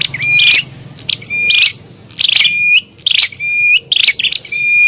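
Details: Bar-winged prinia fighting call used as a lure for wild prinias: loud bursts of harsh, scratchy chattering alternating with long level whistles, repeated about once a second, with a faint low hum underneath.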